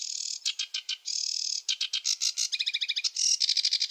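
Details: Chattering song of a sedge warbler, phrases in random order: buzzy rasps, quick stuttering clicks and a run of fast doubled notes, ending in a shrill trill.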